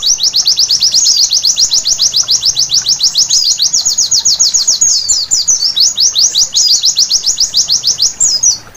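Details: Night white-eye song, played as therapy to get birds singing vigorously: a long, dense, unbroken stream of very high, sharp slurred notes, steady at first and becoming more varied and jumbled later.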